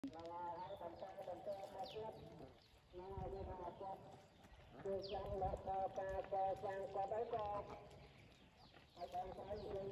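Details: Domestic ducks (Anas platyrhynchos domesticus) give nasal, overlapping quacks in bursts lasting a couple of seconds, with short pauses between.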